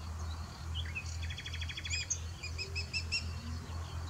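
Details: Black kite calling on 6 June 2023: a high, quavering whinnying trill of rapid pulses, followed by a few separate thin notes, over a steady low rumble of wind or distant traffic.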